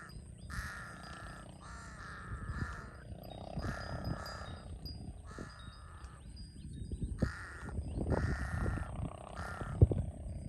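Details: A large-billed crow in Cambodia, a species common around water where it finds food, gives harsh, nasal caws in a steady series, about one every second, over low rumbling background noise.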